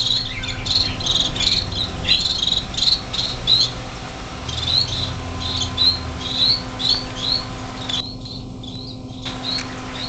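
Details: Six young finches just out of the nest in a greenhouse, January 2007, flying a little: a busy stream of short high chirps, about one a second, with a low hum and brief dropouts.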